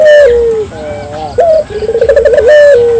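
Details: Barbary dove in full song, used to encourage local doves to join in: a smooth level coo sliding down, a softer wavering coo, a short rising note, then a rapid rolling trill of about ten pulses and another drawn-out falling coo.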